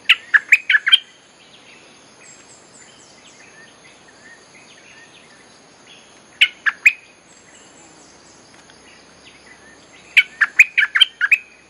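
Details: Olive-winged Bulbul lure song for attracting wild birds: rapid groups of four to six loud, bubbly whistled notes at the start, middle and end, with quiet murmured notes between.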